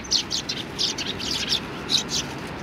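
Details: Sparrows arriving to be fed at a Tenmangū shrine, 25 November 2020: soft, high chirps in small bursts roughly every half second, somewhat muffled over a low background hum.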